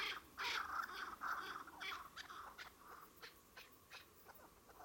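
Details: Chukar partridges calling with loud, rasping, chuckling bursts at the start, then quieter, spaced clucks that fade away.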